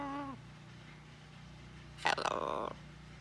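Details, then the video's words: Pet blue-and-gold macaw on a newly started farm, chatting with its owner: a calm human-like hello, then a harsh, grating broadband utterance lasting under a second. "Talking With My Friend The Macaw Parrot"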